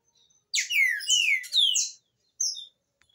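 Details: Green-winged saltator song used for teaching young birds to sing: three loud, clear whistled phrases with sliding, downslurred notes run together over about one and a half seconds, then a brief high note after a short pause, with a quiet background.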